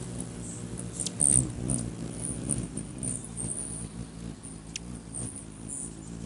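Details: Rufous hummingbirds contest a finger perch held out by a man, 20 May 2020; an uneven low whirr of wings runs under sparse, piercing high chip notes.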